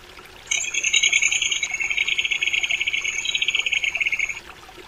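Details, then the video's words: Crested kingfisher giving a fast, harsh, grating rattle of rapid pulses lasting about four seconds, with a thin steady high tone above it, over quiet background. "冠魚狗/Crested Kingfisher"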